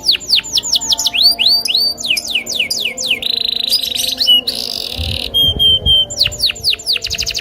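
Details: Agitated loper canary challenging a rival to sing: quick runs of downward-sweeping whistles, a long harsh buzz, clipped pure tones, then a final fast trill; faint low thumps in the background.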